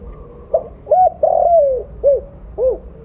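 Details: Mottled spotted dove with a large voice, kept as a calling lure, delivers a cooing phrase: soft hoot, rounded note, long descending coo and two short closing hoots, against low background hum.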